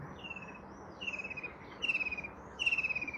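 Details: White-throated kingfisher calling in quick trilled bursts, four phrases that grow louder, each a fast rattle easing downward in pitch, with a faint noisy background.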